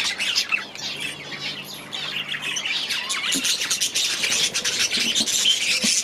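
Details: Captive budgerigars in an aviary chirp and warble in a thick, continuous babble, with a few clearer whistled notes standing out above the chatter.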